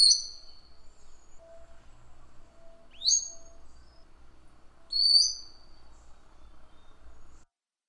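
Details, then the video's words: Madi injap song used as a model for training other songbirds: three short, sharp upslurred whistles spaced about two seconds apart, with a faint low hum and a soft lower tone between them. "Kicau MADI INJAP"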